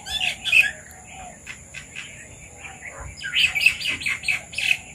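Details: At a papaya, red-vented bulbuls call: a few sharp chirps open, softer scattered notes follow, then a busy cluster of bright, bubbling calls in the last two seconds.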